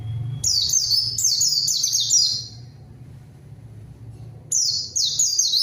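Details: White-eye lure song to call rivals and prompt silent birds to sing: a long burst of shrill, fast, falling notes, then a pause with a low droning hum, then another twittering burst.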